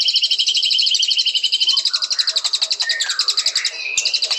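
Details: Shrill, rapidly pulsed trills from a white-rumped shama, stacked in several bands, shifting midway into lower gliding whistles and chattering notes before the high trill resumes.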